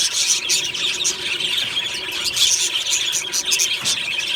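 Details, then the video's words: Happy budgerigars singing in the morning in an aviary colony: a steady, busy chorus of high, squealing chirps and chattering warbles from many birds, thick and unbroken throughout. "Beautiful Budgie morning happy singing and chirping sounds | Happy Budgie sounds"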